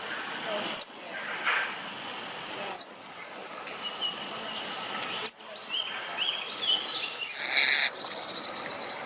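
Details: Ornamental starling calling in sharp, high, clipped notes at irregular intervals, mixed with fainter sliding whistles and a brief burst of rustling noise near the end.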